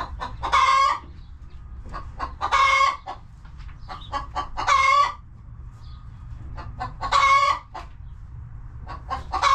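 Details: Coop chickens giving loud, drawn-out nasal squawking clucks roughly every two seconds, with softer short clucks scattered between them.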